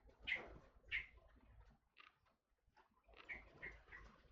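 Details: Forest oriole (kepodang hutan) utters a few loud clipped notes, two close together, a pause, then three quicker ones, in a quiet setting.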